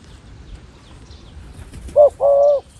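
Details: Decoy dove calling to lure wild doves down to a trap. After about two seconds of quiet outdoor background, it gives a short low coo and then a longer, steady, hollow coo.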